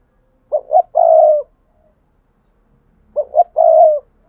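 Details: Decoy spotted dove calling to draw in wild doves. Two low cooing phrases roughly 2.7 seconds apart, each a quick double note then a sustained mellow coo, with nothing else audible.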